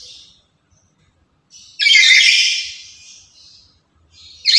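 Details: A loud, chatty lory used to lure and train other lories bursts into a single long, harsh screech of about a second and a half, followed by a quieter tail and the start of another.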